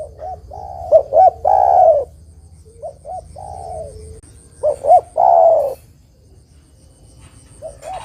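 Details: Energetic spotted dove song meant to provoke rival doves into answering during trapping: three deep phrases, each two or three quick hollow notes followed by a long throaty coo, spaced roughly two seconds apart, over a faint high tone.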